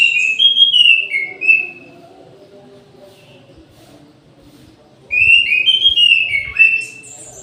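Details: Orange-headed thrush in an aviary at midday, singing two rich whistled phrases of fluty, slurred, descending notes about four seconds apart, with a quiet pause between and faint low background murmur.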